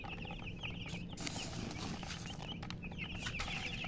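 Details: Young chicken chicks giving high, thin peeps at the start and end, with the middle partly covered by bursts of broad hissing rustle and a steady low rumble.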